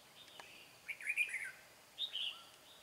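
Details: Red-whiskered bulbul heard while trapping a wild bird described as bell-voiced; two short warbled, bubbling phrases a second apart, slurring between mid and high pitch, over a quiet hiss with a faint higher chirp.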